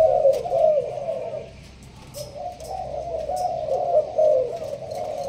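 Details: Spotted dove of the Malaysian strain, kept in a leafy cage for hobby keepers, giving the urging coo in the sparse song style. Low mellow coos run into one another with a brief lull midway, over faint indoor background.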